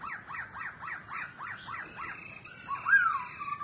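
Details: A pet laughingthrush sings while dancing and fanning its tail, repeating a rising-falling whistled phrase about five times a second, then breaking into a louder slurred warble, with faint high notes above.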